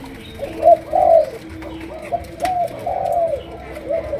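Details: Chiêu gù coo of sấm đồng type from a Malaysian-strain spotted dove. A short coo leads into a longer swelling note, then softer coos follow, with one sharp click in the middle.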